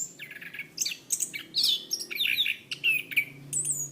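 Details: Orange-banded thrush song recorded to train cage birds: quick varied whistled phrases with slurred falling and rising notes, some buzzy, delivered continuously in a rich jumbled stream.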